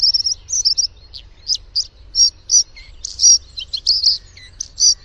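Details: Song of a Bluethroat, loud and varied: rapid high twittering phrases, buzzy rattles and sharp metallic notes delivered in short bursts about a second apart.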